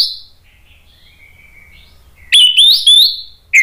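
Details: After a faint whistled phrase in the background, an orange-headed thrush provoked by a lure bursts into a loud ngeplong reply of rich rising whistles and a sharp final note.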